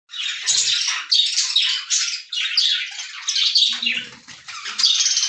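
Lovebirds give shrill, scratchy squawks and chatter in quick bursts about every half second to one second, with no pause.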